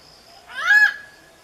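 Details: Malabar grey hornbill giving a single short, harsh, nasal squawk that rises to a steady held pitch and then stops abruptly. It lasts under half a second against a quiet background.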